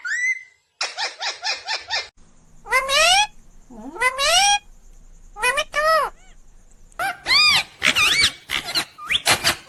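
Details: Talking green ringneck parrot: a series of high, bending, harmonic syllables in speech-like bursts, some short and rapid, others rising and falling, separated by brief pauses, with a faint steady hum underneath.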